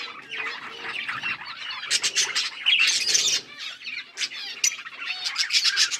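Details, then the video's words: Budgerigars in a breeding setup chirping: dense overlapping high warbles and chatter with short squawky notes, busiest in the middle and closing with bright rapid trills. "Birds chirping sounds"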